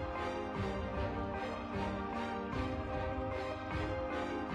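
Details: Rhythmic instrumental music with a steady pulsing beat and no animal sounds.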